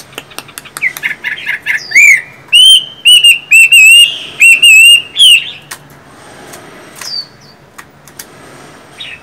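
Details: Chinese hwamei, a caged songbird, singing loud clear whistled phrases: rapid rising notes lead into a sustained wavering whistle repeated in strong bursts, then fading to scattered clicks and a faint distant chirp.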